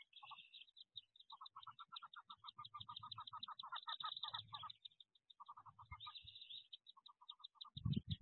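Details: Wood duck brood inside its nest box in 2023, ready to leap out: high peeps over rapid runs of lower, evenly spaced chirps, ending with a loud bump.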